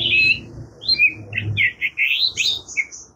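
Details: Murai kampung or kacer, the Oriental magpie-robin, singing rapid linked whistles and twitters that climb higher toward the end, with a low rumbling hum underneath.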